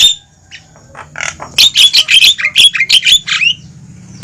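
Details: Javan myna lure sound used to bring wild mynas to a trap: soft chatter builds into a quick run of loud, rasping squawks and short downslurred whistles, then fades.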